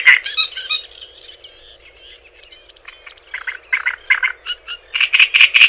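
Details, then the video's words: Singing Java sparrow, recorded as a tutor for other birds: a loud chattering burst fades to soft twittering, then clipped notes build back into a loud pulsed series, over a faint background hum. "Suara Ocehan Burung GELATIK JAWA Untuk Pancingan Dan Masteran"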